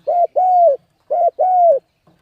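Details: Spotted dove cooing to lure wild birds. Two quick pairs of mellow notes, each a brief coo followed by a longer, level-then-dropping coo, in a clean recording.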